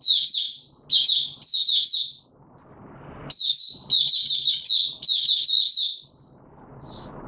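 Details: White-eye kept in a cage, trained for form, pouring out rapid high chirps and trills in strings, pausing midway, with soft rustling noises.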